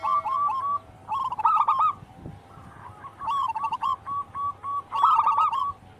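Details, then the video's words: Local wild zebra dove singing, a recording for stimulating captive birds: repeated phrases every two seconds or so, each a rapid burst of stuttered coos trailing into evenly spaced short notes, with a low steady hum behind. "Pancingan burung perkutut lokal alam gacor"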